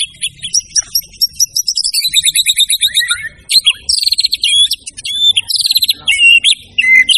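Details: White-rumped shama singing hard with full, varied material: long trilled whistles sliding downward, quick chattering bursts, sharp high sweeps and short whistled twists, delivered almost without pause.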